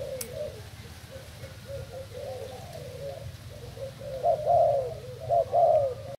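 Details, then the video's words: Spotted dove kept as a decoy bird from Thailand, dated 08/08/18, cooing: a run of quiet, low hooting notes that swells into two louder, stressed coos toward the end, against a steady low background hum. "Cu gáy mồi trần thailand"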